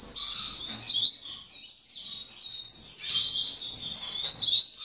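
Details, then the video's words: Young double-collared seedeater of second generation singing a steady run of high, downslurred whistles and quick twittered notes, hardly pausing. "FILHOTE DE COLEIRO"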